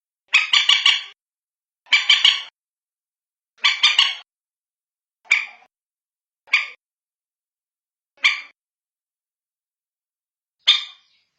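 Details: Common moorhen (bantiung), a call used to lure the birds at night: harsh, nasal bursts of three or four rapid notes, then single clipped notes, spaced roughly every one to two seconds, with clean silence between.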